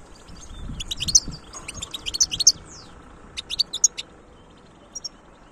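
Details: European goldfinch singing in short bursts of high, tinkling twitters and chirps separated by brief pauses, over faint low background rumble.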